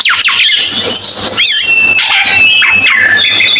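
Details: Cucak keling bird singing, a recording for birdkeepers: loud, varied whistles and slurred rising and falling notes, some sharp high sweeps and a long steady high tone, over constant hissing noise and a low hum.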